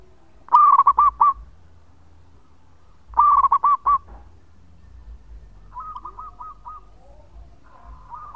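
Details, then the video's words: Local zebra dove singing actively, a long song used as a lure: two loud cooing phrases of about five quick, mid-pitched notes each, three seconds apart, followed by softer, more distant answering phrases of similar notes. "Perkutut Lokal Gacor Suara Panjang buat Pancingan"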